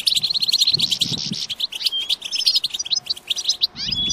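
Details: Goldfinch singing to stimulate other goldfinches, opening with a fast buzzy trill, then scattered sharp chirps and twitters that thin out toward the end, with some low background rumble.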